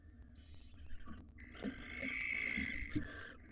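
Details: Wild barn owl male tending nestlings in a monitored nest box while the female is away; a faint short hiss, then a long, harsh, steady rasping screech of nearly two seconds, with low background hum and soft knocks.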